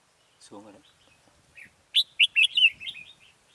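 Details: Red-whiskered bulbul used as a decoy during bulbul trapping on 14 October 2018, singing to lure wild birds; a man speaks briefly, then a quick phrase of four or five bright whistled notes rising and falling.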